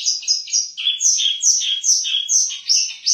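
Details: Long-tailed shrike giving contest song material for tutoring other songbirds: a jumble of high squeaky chirps and slurred notes, alternating upper and lower pitches in quick succession.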